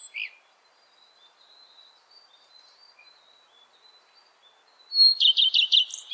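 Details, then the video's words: A common redstart sings: faint, thin high whistles, then a sudden loud phrase of five or six quick, bright, slightly buzzy notes. "Горихвостка обыкновенная (Phoenicurus phoenicurus) - пение"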